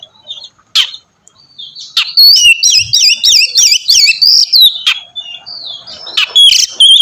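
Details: Oriental magpie-robin singing to prompt another to sing, a quick series of about eight repeated rising-falling whistled notes, then scattered sharp notes and a bright whistle.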